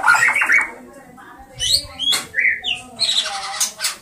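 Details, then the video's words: Oriental magpie-robin sings a varied run of bright whistles mixed with harsh, scratchy squawks, in short bursts about half a second apart. "Magpie-Robin Birds Colors and sounds"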